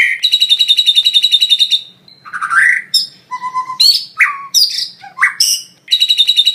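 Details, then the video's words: Master training song of a white-rumped shama with lovebird-style fill phrases. A rapid buzzy chattering trill opens and closes it, with loud varied whistles, upward slurs and short steady tones between. "Masteran suara burung murai batu full isian lovebird"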